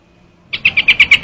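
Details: Trao trảo bird starting a quick burst of seven sharp, high-pitched chips, evenly spaced and loud.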